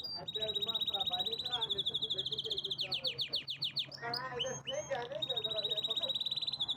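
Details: Canary delivering a powerful song: long, fast rolling trills of rapid repeated notes, broken by a burst of sharp descending chips, then the high steady rattle resumes, with softer warbled notes underneath.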